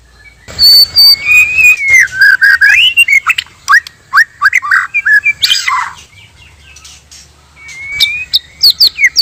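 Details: White-rumped shama, male and female, singing naturally as a trapping lure: a sustained high whistle and wavering slurred phrase, then quick upturned notes, a harsh rasp, and thin high twisting whistles at the close.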